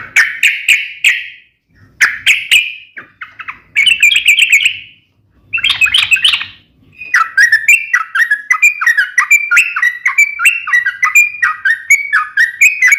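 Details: Yellow-vented bulbul singing a sharp, rapid fighting song to make other bulbuls answer: bursts of bright chirps and short trills, then a long continuous chattering run of quick, varied notes.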